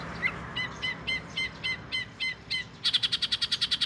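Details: Oriental magpie-robin, known locally in southern Thailand as binla, the home's first: eight evenly repeated sharp notes, then a fast, rattling trill of high notes to the end.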